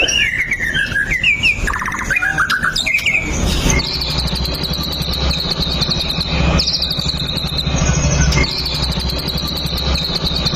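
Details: White-rumped shama song used as a lure to prompt other shamas to sing. Opens with varied slurred whistles, then shifts to a long, high, rapid buzzy trill held steadily over strong low background noise.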